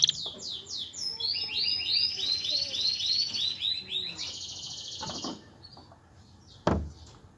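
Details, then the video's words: Male canary singing to bring a female into breeding condition and nest building; rapid curved notes merging into rolling trills, moderately loud over a noisy background, then fading to hiss with a loud thump near the end. "اقوى تغريد ذكر الكناري لتجهيز انثى الكناري للتزاوج و تحفّزها على بناء العش CANTO CANÁRIO"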